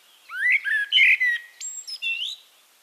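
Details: Singing Eurasian blackbird recorded in Castricum, the Netherlands: a mellow fluted phrase rising and wavering, followed by several higher, thinner twittering notes, with a quiet background.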